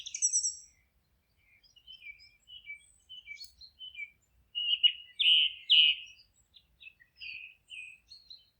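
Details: Birds singing in a forest: a high buzzy opening note, then a string of short chirps and whistled notes, louder rich warbles in the middle, tapering to scattered twitters.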